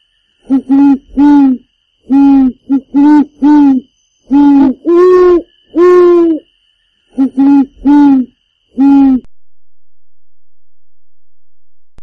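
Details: Black-necked swan calling as it swims: a run of short, mellow hoots in twos and threes, including two longer, higher notes. The calls stop after about nine seconds, leaving a low steady hiss.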